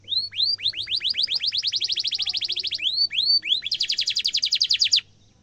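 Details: Canary song used as a master recording for training young birds: upward-sweeping whistled notes, then fast rolling trills of repeated high notes, another pair of sweeps and a second rapid trill, clean background.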